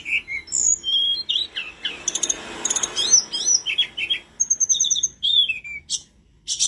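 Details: Lively blood-breasted flowerpecker (tledekan gunung) song used for tutoring captive birds: rapid, varied high-pitched chips, short upslurred and downslurred whistles and quick trills tumbling together, with a brief hiss of background noise midway.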